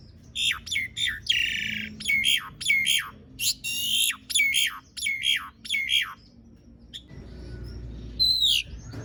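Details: Asian pied starling in energetic, full song with long rolling phrases, used to coax silent starlings into singing. Harsh, broadband squawking bursts alternate with short sharp whistles, about ten bursts in seven seconds, then a faint rasp and one high whistle.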